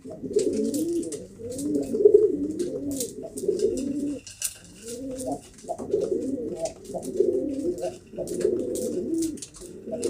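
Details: Pigeons cooing repeatedly, low warbling rolling coos in bouts of a few seconds with short pauses, faint rustling in the background.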